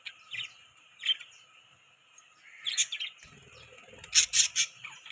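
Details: Budgerigars chirping, kept as pets: bright, scratchy chirps of two to four notes at a time, with short pauses between them. A denser, louder cluster of sharp chirps closes the clip, over faint low rustling.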